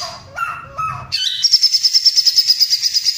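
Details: Cililin singing in a recording used to train white-rumped shamas, with a loud, close-packed rolling trill. A few lower whistled notes lead into a fast, even, high buzzing roll that runs steadily to the end.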